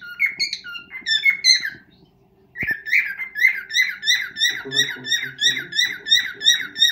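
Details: Pet cockatiel serenading its mate indoors for the first time: bright whistled phrases, a brief gap, then steady repeated chirping notes about three per second, each with rich upper overtones; faint room hum and low rustling behind.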